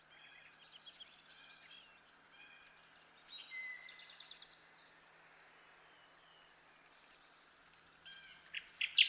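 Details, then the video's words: Kirtland's warbler (Setophaga kirtlandii), jack pine warbler, sings bright, rapid phrases of chirping notes that rise and quicken, in bursts a few seconds apart over a steady hiss. "Kirtland's Warbler Bird Sound"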